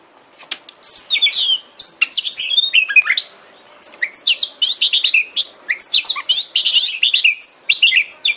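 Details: Lure song of an Oriental magpie-robin for making a kept bird active and tail-fanning: rapid, dense sequences of high chirps and slurred whistles, with one short pause after about three seconds.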